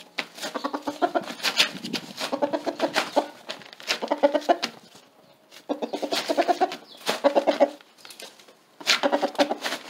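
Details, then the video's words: Rooster calling a hen to a laying spot on top of a tarp, giving rapid runs of low, throaty clucks in rhythmic bursts of about a second each, separated by short pauses. "Rooster Calls Hen to Lay an Egg on Top of Tarp"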